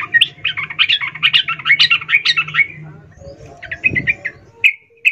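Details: A female sooty-headed bulbul calls the male, recorded as a lure for lazy singers; a fast run of chattering notes for about three seconds, then sparser short notes after a quiet gap, over low hum.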